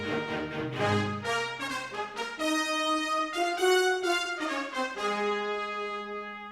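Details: Orchestral music led by brass instruments, horns and trumpets sounding bold chords and a rising fanfare with no animal sounds.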